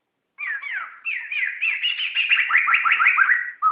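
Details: Tutor song of a laughingthrush for songbird training: a continuous stream of clear slurred whistles, rising and dropping, speeding into a rolling rapid series before a final short note.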